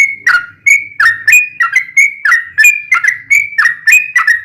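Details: Yellow-vented bulbul tutor song for bulbuls kept at home, ropelan with ngelituk fill: chirpy whistled notes that step up and down, given about three per second, over a soft low murmur in the background.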